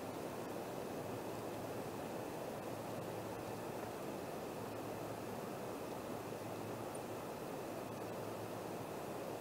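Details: Constant rushing noise like distant traffic or surf, over a low steady hum, with a few faint clicks and no animal calls.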